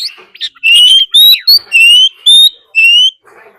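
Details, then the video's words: Oriental magpie-robin lure bird in fighting song, meant to provoke rivals: loud, sweet whistled notes, each rising or gently bending, about three a second in a continuous phrase, ending with a soft scratchy note. "Choè than mồi hót đấu +tiếng chim mái rừng"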